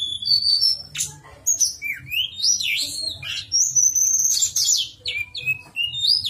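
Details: Javan sunbird giving a nyuling, flute-like song used to spur silent sunbirds into singing. Rapid high chirps and sharp whistled notes run together in busy bursts, with a faint low hum beneath.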